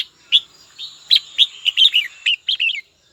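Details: Red-whiskered bulbul calling a rival: an opening chirp, then a lively sequence of quick, rolling warbled notes ending in a short flourish, over a faint steady high tone.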